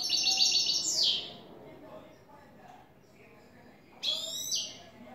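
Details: Clean song of a new European goldfinch in the "tres vueltas" style. High jingling phrases end in a downward sweep, then a pause, then another sparkling twittered burst, with low background murmur.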